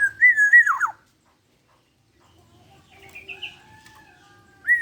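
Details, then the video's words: One rich, wavering fluted phrase with a steep falling finish from a 21-year-old black-naped oriole in vigorous song, suited for tutoring other birds; faint higher warbles follow, and the next phrase begins just as the recording stops. "Burung kepodang gacor umur 21 tahun masih jooos."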